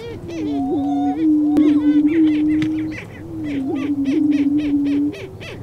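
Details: Booming lesser prairie chickens, roosters competing to attract a hen in Kansas Flint Hills grassland: a continuous low moaning tone, looping whoops, and fast repeated cackles roughly three to four per second toward the end.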